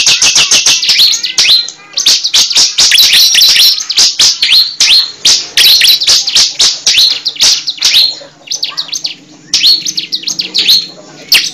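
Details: Cible bird, in a recording used as a lure for trapping: dense bursts of sharp, high chirps and twittering notes, delivered rapidly with short gaps and some brief trills, loud and close throughout.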